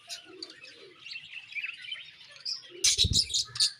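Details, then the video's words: Budgerigars chirping in the morning: soft, warbling twitter with short whistled notes, then a louder burst of sharp chirps and a low flutter. "Beautiful Budgies Morning Chirping Sounds"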